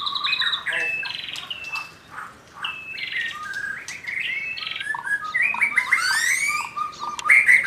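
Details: Young wild white-rumped shama from the forest in full voice, delivering varied clear whistles that step up and down in pitch, interspersed with buzzy trills and a burst of rapid high notes near the end.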